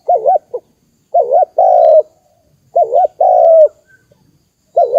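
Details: Spotted dove coos used as a lure to excite decoy birds for trapping: mellow wavering double notes each followed by a long, slightly falling croo, repeated every couple of seconds in a quiet setting.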